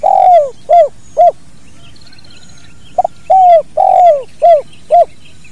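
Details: Spotted dove repeating its kuk dua call in a natural recording for training birds: long falling coo then short arched coos, a pause with faint high chirping, then the full phrase again.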